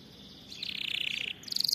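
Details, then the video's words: Canary song used for training, a short buzzy rolled trill followed by a bright rapid ringing trill. "أفضل أغنية لتدريب طائر الكناري على الغناء الصحيح"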